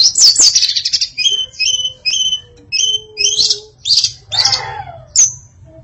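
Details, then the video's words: Female hill blue flycatcher, known locally as tledekan, singing a varied song: short clear whistled notes and slurred phrases, some paired, ending in harsher chattering trills and a final high note. "Kicau Memukau Tledekan Betina Yang Bersuara Variatif"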